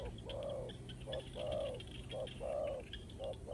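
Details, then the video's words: Spotted dove decoy call: alternating short and drawn-out low coos, evenly paced, with faint higher chirps of other birds and a soft hum behind. "The Sound of Spotted dove"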